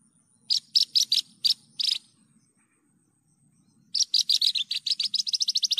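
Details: Javan bush lark in full song: evenly spaced, sharp, high chirps, a pause, then a long fast train of clipped notes speeding into a steady rattling trill.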